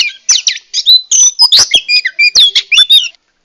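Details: Female oriental magpie-robin, a kept bird, calling to provoke a male into singing and raise his breeding drive; a rapid run of varied high chirps, harsh notes and short whistles, loud and dense, ending abruptly.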